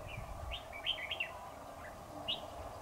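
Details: Decoy red-whiskered bulbul at a trap set on 7 October 2019 to catch a dominant wild rival: a quick run of warbling, slurred notes, then a lone bright note after a pause, over constant background hum.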